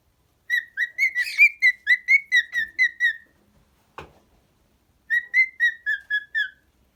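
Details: Cockatiel kept as a pet, whistling a fast string of about a dozen bright, evenly spaced notes, then a short click and a pause before a second shorter run of similar notes.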